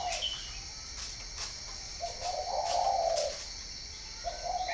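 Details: Spotted dove at a Ba Vì breeding farm in northern Vietnam: short low coos begin and end the recording, with a long, swelling, even coo in the middle. Faint clicks sound in the background.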